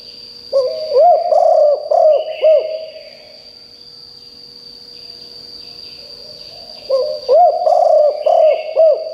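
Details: Decoy spotted dove calling loudly to lure wild birds: two phrases of about five deep, rounded coos each, separated by a pause of several seconds, over a steady high-pitched whine.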